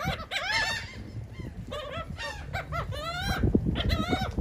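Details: In Atlantic City, New Jersey, gulls feeding on cake give a run of rising-then-falling, nasal honk-like cries in quick succession, with background rumble and clicks near the end.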